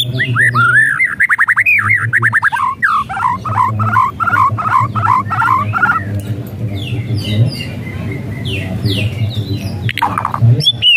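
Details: White-rumped shama whistling as a lure for a reluctant singer: a fast series of repeated looping whistled notes over a low hum, fading into softer scattered notes and a final sharp burst.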